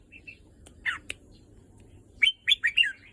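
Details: Red-whiskered bulbul held back for several days: a few soft chirps and a clicky note, then a quick run of four loud, rich, rolling whistled syllables.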